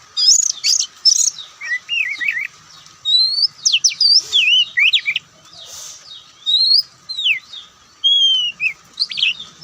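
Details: White-breasted Oriental magpie-robin (kacer) in Indonesia, a songbird of attractive singing style, pouring out loud whistled slurs, quick rising notes and sharp chips, with brief pauses between bursts.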